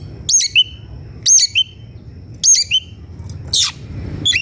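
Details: Agitated Oriental magpie-robin (kacer), eager to find a rival to fight: short bright whistled phrases, each a high sweeping note then a lower clipped one, repeated about every second over a faint low hum.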